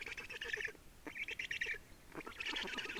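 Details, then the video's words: Estonian black storks at the nest, changeover and feeding, 30 May 2019 at 15:28; three short, coarse, pulsed bursts in quick succession. "Estonian Black Storks - Change and feeding"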